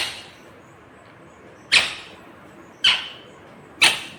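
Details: Green rose-ringed parakeet uttering three sharp, piercing screeches, each a brief burst that fades quickly, spaced about one second apart after a quiet start.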